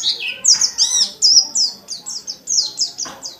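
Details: White-eye in full song, used to provoke other white-eyes; dense, rapid sequence of high, bright downslurred chirps mixed with a few buzzy rasping notes, running almost without pause.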